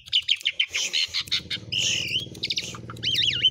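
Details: Javan pied starling singing an isian (filled) song used as a master song for training other birds: rapid harsh chattering notes, then bright sliding whistles and a wavering, looping whistled phrase near the end.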